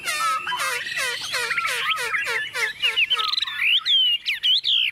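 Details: Hand-held tame Chinese hwamei placed on a table and singing with confidence: a rapid series of rich looping, warbled notes, then sharp rising whistles and bright slurred phrases.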